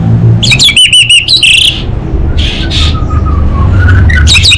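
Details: A caged orange-headed thrush in Singaraja, Bali, in the 'kabel konslet' style gives a short burst of rapid looping notes, then softer sliding whistles, against a low engine-like rumble.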